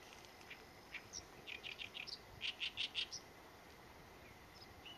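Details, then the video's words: Oriental reed warbler, named in Korean for its "gae-gae-bi" call, giving harsh, grating chattering notes in a quick run of about a dozen over a steady high insect hum. "개개비 소리"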